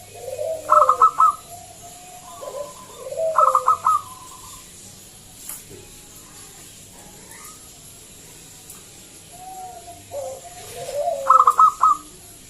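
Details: Local zebra dove with a loud, ringing voice, used as a lure to prompt other doves to sing; three spaced phrases of clipped rapid notes and falling coos separated by quiet pauses.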